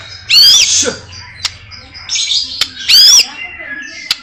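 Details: White-rumped shama delivering two loud harsh rasping bursts with sweeping notes, separated by softer high whistles, plus a few sharp clicks.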